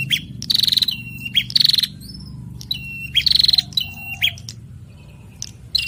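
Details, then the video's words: Male and female bar-winged prinia sing back and forth: three bursts of fast, pulsed buzzy trills, each paired with a sliding whistled note and sharp clicks, separated by brief quiet gaps. "Prenjak Jantan dan Betina Sahut-sahutan Gacor"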